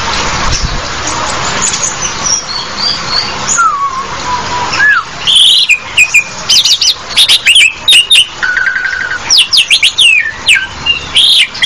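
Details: A hissy, noisy start with a low whistled slur, then an Asian pied starling breaking into rapid mixed chatter: clicks, buzzy trills and looping whistles.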